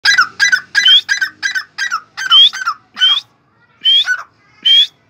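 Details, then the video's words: A fully tame partridge (teetar) calling freely gives loud, harsh, squawking notes in a quick uneven series, about ten in five seconds, some with a sharp rising whistle. "partridge calling freely"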